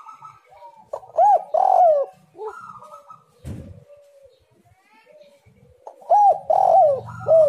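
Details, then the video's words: Spotted dove singing, recorded as a lure to prompt other doves to sing: loud bursts of arched, throaty coos open and close the clip, separated by softer, distant coos and a brief click. "tekukur super gacor suara indah sekali, untuk pancingan"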